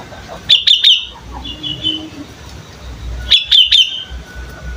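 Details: A young sooty-headed bulbul practising its song: two clusters of three quick, bright chirps, with a softer warbled phrase between them, against low background hum.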